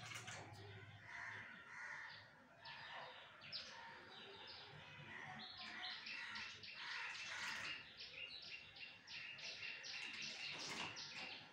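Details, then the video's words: Myna, a Bangladeshi local bird, calling while bathing: dense, rapid bright chirps and short harsh notes, sometimes in quick runs, mixed with wing flapping and splashing throughout. "শালিক পাখির গোসলের ভিডিও"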